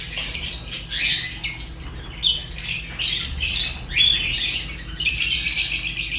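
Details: Shrill, grating chirps and squawks from African lovebirds including Fischer's lovebird, a few whistled notes slipping through, ending in a loud sustained burst of chatter.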